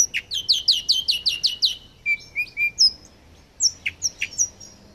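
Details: Song of a mutated rosefinch: a fast run of repeated downslurred chirps, then a pause, a few lower whistled notes and scattered high sharp notes spaced irregularly.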